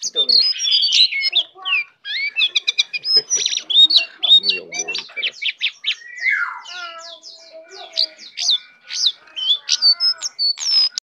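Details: Brown prinia, tame and singing hard with a full range of fill-ins, pours out loud, rapid chirps, sharp upward whistles and a drawn-out descending slur, the phrases tumbling together with hardly a break.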